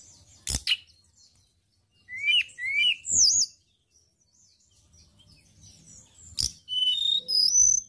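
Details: A white-browed shortwing sings as a training lure for songbirds, giving short bright whistled phrases of two or three falling slurs, then a thin, rising, high-pitched sequence, with sharp clicks in between.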